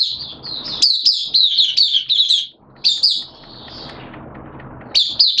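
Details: Open singing by a kept Oriental white-eye on a wet, erratic-weather day, 11 September 2022; bright high-pitched chattering phrases of quick descending chirps, a quiet stretch midway, then another sharp burst at the end.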